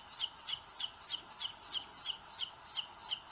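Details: Booted eagle chicks in a nest in Sierra de Guadarrama National Park, Spain, 2022, filmed by a live nest camera while the bigger chick pecks the smaller one; thin, high two-part peeps repeat steadily about three times a second.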